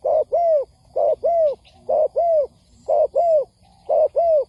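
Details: Spotted dove cooing, played as a lure recording for trapping: paired low hoarse coos, a short note then a longer downslurred one, repeated about once a second in a steady series over a quiet background.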